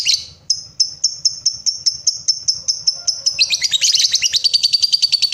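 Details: Lovebird, used to prompt other lovebirds into long trilling song (ngekek): high clicking notes quickening into a steady, dense, shrill chattering trill that rises in intensity toward the end.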